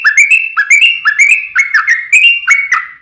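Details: Sooty-headed bulbul (trucukan) singing steadily, as a lure to set other bulbuls singing: a quick series of short phrases, each a low note jumping to a level whistle, repeated about four times per second with bright harmonics.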